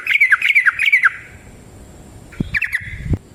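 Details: Yellow-vented bulbul in full voice giving a long fighting song: a quick run of bubbly, warbled notes dipping and rising, then a pause and a shorter phrase of similar notes with a few low knocks beneath.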